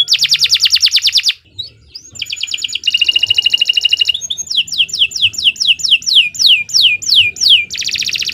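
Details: Long, energetic canary song for training young birds: a dense rapid trill, a short gap, a buzzy rolling phrase, then a string of descending whistled sweeps ending in another fast trill.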